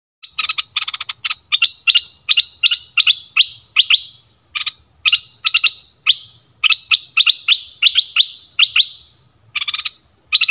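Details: Wild birds arriving together as a family, giving a dense run of sharp, bright chirps, each a quick high burst, repeated in rapid clusters almost nonstop with brief pauses, loud and close.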